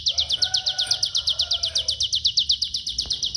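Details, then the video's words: Pygmy bushtit song described as an unusual short-circuit style; a rapid, very high trill of evenly spaced sharp notes, about eight per second, with a faint lower whistled tone underneath. "UNIK! CIGUN KONSLET MATEI CILILIN"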